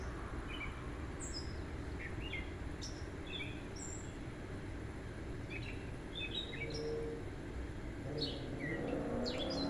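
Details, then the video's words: Sunset in a backyard, June 2024: a gray catbird singing away from one tree, where it sings most of the day and even at night. A long jumble of short, scattered chirps and whistles, faint against steady broadband noise. "Cat Bird Singing @ Sunset"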